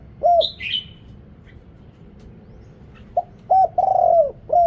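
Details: Spotted dove decoy calling wild birds in Thailand: one falling coo, a burst of high squeaky chirps from another bird, a pause, then a phrase of short hoots and a long rolling coo.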